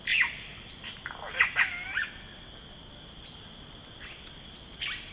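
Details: Yellow-rumped cacique calling in rainforest with liquid, bubbling notes and a few sliding whistles spaced through the clip, set against a steady high-pitched insect chorus.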